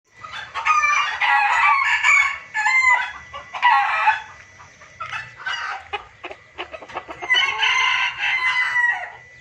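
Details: Junglefowl lure recording used to attract birds: dense, harsh cackling and clucking bursts, several overlapping voices, loud phrases lasting about a second with short pauses, a faint steady tone in the background.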